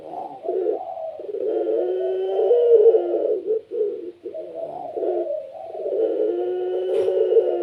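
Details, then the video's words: Puter pelung dove kept as a pet pours out a long, unbroken run of low throaty coos with slight pauses, layered as if several doves answer one another, in a small room. "PUTER PELUNG SUARA GACOR||Bikin puter lain ikut bunyi."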